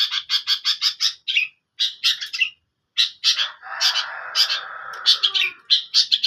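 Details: Long-tailed shrike opens with a rapid train of harsh chattering notes, pauses, then resumes scratchy notes over a lower rushing hiss in the middle stretch.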